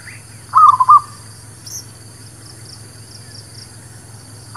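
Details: Local village zebra dove (merbuk kampung, perkutut lokal) singing, played as a lure for trapping wild birds and for newly kept birds: one short, soft, bubbling cooing phrase of about four rapid notes, followed by quiet background and the start of another phrase.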